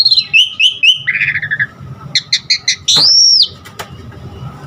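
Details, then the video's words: Asian pied starling singing to train caged birds: short whistled notes, a buzzy descending trill, a series of quick chirps and a loud arched whistle, with a faint click near the end. "Pancingan Jalak Suren GACOR Isian Variasi Suara Burung Masteran Burung Jalak Agar GACOR Full Isian"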